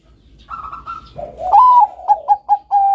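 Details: Bangkok-type zebra dove song meant for training doves: soft higher coos at first, then a loud sliding coo, a few quick clipped coos and a sustained steady note.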